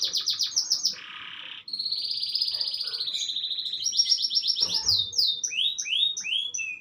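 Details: Canary singing in the afternoon: rapid high trills and buzzy rolls, fast repeated notes shifting between steady whistled tones and sweeping chirps, loud and continuous throughout.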